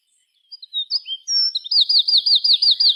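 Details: Birds chirping in the afternoon at dusk among treetops: a few thin whistled notes, then a rapid series of about nine high, bright, repeated chirps in quick even rhythm, with no other clear sounds.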